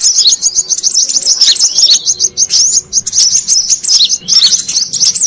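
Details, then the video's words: Continuous busy twittering from a brown-throated sunbird lure track for catching wild birds, with shrill, quick chip notes and swooping squeaks running without pause. "Suara Pikat Burung Kolibri Kelapa Manggar"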